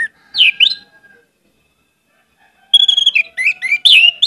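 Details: Orange-headed thrush giving two quick rising whistles, then a silence, then a fast jumble of varied whistled and chattering notes with a steady high tone beneath.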